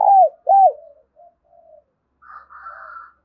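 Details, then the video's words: Decoy spotted dove calling to lure wild doves toward a trap, its voice ringing across the village: two loud, arched coo notes, then fainter trailing coos, followed by a softer, higher buzzy warble near the end. "Tiếng chim cu gáy mồi gáy gọi vang cả xóm làng"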